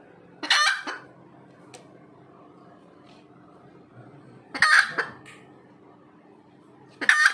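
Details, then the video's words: Red junglefowl calling after laying an egg: loud, harsh, drawn-out squawks spaced about two to three seconds apart, with quiet pauses between them. "AYAM HUTAN SELEPAS BERTELUR"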